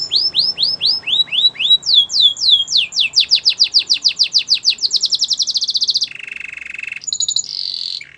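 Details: Canary training song: repeated curving whistled notes, then a dense run of rapid downward slurs growing quicker, shifting into a lower rolling trill and a brief high buzzy phrase.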